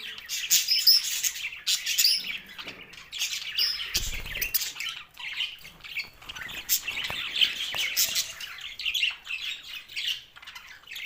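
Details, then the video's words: Happy green budgerigars feeding together make steady, overlapping high chirps and squawks, a busy flock chorus of short scratchy notes with brief sharper peaks. "Australian Budgies happy Parrot voice"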